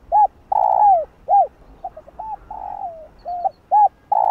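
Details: Cooing spotted dove meant to excite other doves: a loud arched coo, a long downward-sliding note, another arched coo, then quieter clipped notes and a level drawn-out coo before the pattern starts again.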